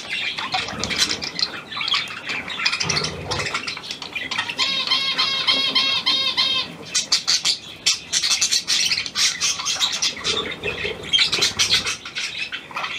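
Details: Newly acquired hand-tame pied budgerigar, Australian type, recorded 17 February 2023: busy high twittering chatter, with a run of rapid nasal squawks repeated quickly in the middle, then more scratchy warbling.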